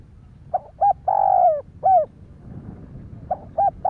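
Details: Spotted dove giving its stimulating coo. One full phrase of brief hoots, a sustained falling coo and a closing note, then the next phrase begins, over faint low noise.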